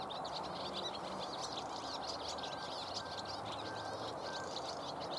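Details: Dense, continuous high chirruping from a big group of common house martins on the wing over a pond, with occasional perching in a tree; quick overlapping notes over a steady hiss.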